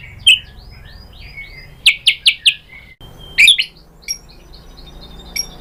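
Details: White-rumped shama singing to make other shamas respond: sparse high chirps and a quick run of four sharp notes, with soft background hiss between phrases.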